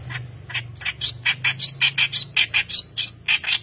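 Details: Persistent song of a white-browed reed warbler, recorded as a lure for training birds: steady, scratchy, harsh notes repeated almost twice a second, some sounding slightly higher and squeakier.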